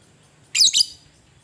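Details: Fighting lovebird giving a provoking call: a harsh, shrill two-part squawk with a brief break in the middle, sharp and very high.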